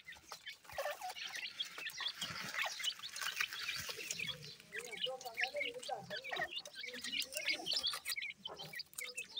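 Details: Grey francolin male chicks at play, a dense chorus of overlapping high, thin chirps and short squeaky notes running throughout, with a few lower warbled notes in the middle.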